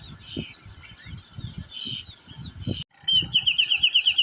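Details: Wrentit playing on a branch gives a quick run of clear, high, evenly spaced notes, about eight in just over a second, after faint twittering and low rumbling.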